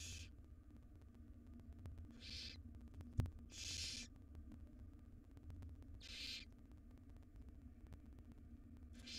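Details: Wild barn owl nestlings being fed a jird give hoarse hissing screeches spaced about two seconds apart, the strongest near the middle, over a continuous low hum with one sharp bump.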